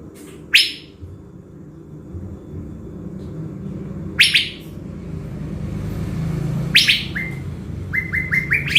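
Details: Blue-winged leafbird from Binh Thuan, Vietnam, a decoy bird prepared before a trip to the forest: three harsh rasping bursts spaced several seconds apart, the last leading into quick repeated short whistled notes stepping upward.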